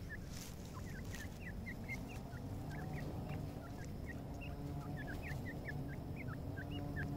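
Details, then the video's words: Red-wattled lapwing chicks feeding, giving a steady stream of short, high, hooked chirps, several per second and often overlapping, over a constant low rumbling hum. "Teeter chicks feeding"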